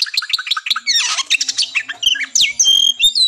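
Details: Oriental magpie-robin in fighting song, played to test nerve and boost breeding drive before a contest; rapid clicks, a harsh buzzy burst, then clear sweeping whistles, with a faint low hum beneath.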